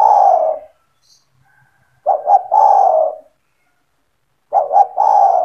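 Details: A vigorously cooing spotted dove (tekukur) kept by its owner, played to attract other doves to call: a fading long coo, then two full phrases of double short notes and a drawn-out mellow hoot, clean quiet background.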